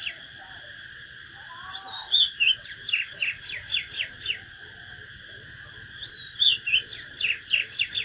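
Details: ['Oriental magpie-robin fighting song, natural bird: two long phrases opening with swooping whistles and continuing as a rhythmic chain of sharp strokes about three per second, with quiet between them.']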